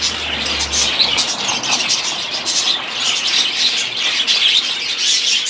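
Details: Several budgerigars warbling together: a dense, continuous chatter of fast high chirps and squeaky twitters, unbroken across the clip, with a brief low hum in the first second.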